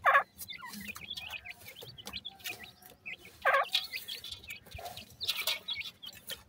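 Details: Grey francolin chicks with their mother at feed: scattered high, quick peeps and chirps between several louder, harsh bursts and a few soft low clucks.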